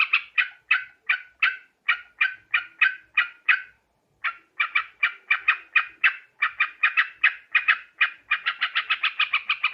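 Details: Lure call of a sooty-headed bulbul, Borneo: evenly spaced, loud, harsh notes, a silent gap of about half a second, then chattering that quickens into a rapid run at the end.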